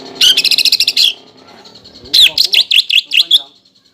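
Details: Greater green leafbird, a captive contest bird, lure song meant to stimulate birds into fighting style during contests: a rapid buzzy trill of about ten notes, a pause, then a series of sharp whistled up-down notes.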